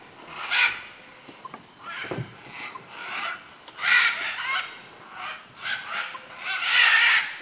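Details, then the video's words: Macaws at Manu in Peru calling with scattered rough squawks, spaced irregularly, some fainter and others loud and strident, over constant background hiss. "Guacamayos Manu Perú"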